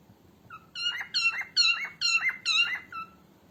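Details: Female cockatiel voice for training cockatiels: six loud, rich notes in a steady run, each starting low, leaping up and sliding back down, repeated about every half second in a quiet room.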